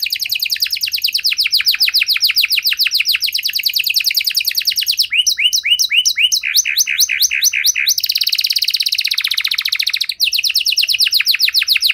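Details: Long continuous canary song with special phrasing, played to encourage a silent canary to resume singing: dense rapid trills, a switch to clipped double notes, then a buzzy rolling passage and fresh fast trills.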